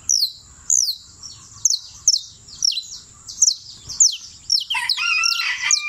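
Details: Champion creole canary of Turbo, Antioquia, repeating high downward-gliding whistled notes nearly twice a second; a rooster crows loudly near the end.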